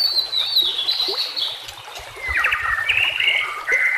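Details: Master recording of white-rumped shama song for training captive shamas: long, loud, slightly descending whistles, then quick clipped notes and rising whistled phrases over trickling water.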